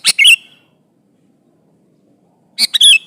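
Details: Sooty-headed bulbul singing to lure an opponent: two short bubbly phrases, each a quick double note sliding into a slurred whistle, separated by about two seconds of silence.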